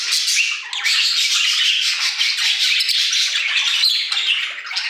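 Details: Budgerigars singing in an aviary: an unbroken wall of overlapping chirrups, scratchy squawks and quick twitters from several birds, loud and steady throughout.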